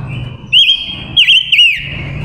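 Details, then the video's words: Captive female silver-eared mesia singing as a decoy to draw wild males: three loud, clear whistled phrases, each with a quick dipping warble, over a steady high tone. "Ngũ sắc hót mồi gọi bổi"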